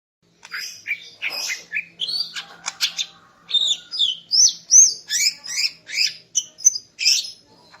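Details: Female greater green leafbird singing in the morning to arouse the male, a lively sequence of rapidly repeated whistled and chirping notes, rising and falling, about two to three per second.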